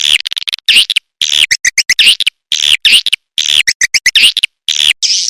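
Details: Edible-nest swiftlet call played to attract swiftlets: loud bursts of harsh, buzzy chirps and twitters repeated in rapid clusters separated by brief silences.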